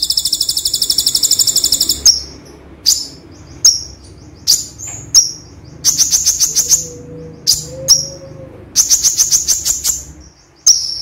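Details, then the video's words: Gray-chinned sunbird (konin) singing a tembakan medley that mimics cililin, gereja and cucak jenggot songs. The song has very high buzzy rattling trills, sharp downslurred chips and fast ticking bursts, with short pauses between phrases. "Konin Tembakan Kombinasi Cililin Gereja Cucak Jenggot - Konin Gacor Full Tembakan"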